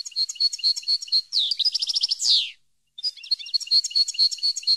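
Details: European goldfinch song used for educating captive birds: a fast, bubbling twitter moves into a clean trill and a buzzy downslurred note, then after a pause the tinkling twitter resumes.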